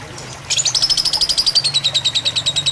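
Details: Lovebird fighter song used as tutoring with water sounds; after half a second of quiet, a sudden run of fast shrill chirps begins, sliding gradually lower in pitch, with a faint low hum underneath.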